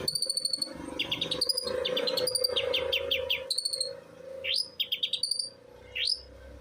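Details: Long-tailed shrike singing loudly in the 'los trotol' style: quick bursts of rising whistled slurs and scratchy chatter, broken by short pauses. A steady low hum runs underneath.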